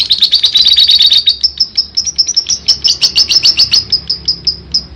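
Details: Lovebird in long ngekek song, a fast rattling chatter of high, clipped notes pouring out without a break, the pulses slightly spacing out and brightening toward the end.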